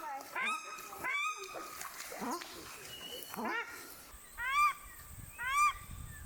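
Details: Paradise shelduck ducklings, just hatched and out on a lake for their first afternoon, in the Maungakotukutuku Valley, New Zealand: scattered sharp peeps at first, then two loud, clear, arched whistled peeps about a second apart.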